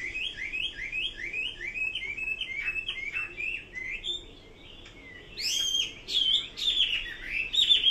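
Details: Chinese hwamei song: rapid runs of repeated rising whistled phrases around the mid-high range, then louder, higher, varied notes in the second half, a loud continuous bird song with no other clear sounds.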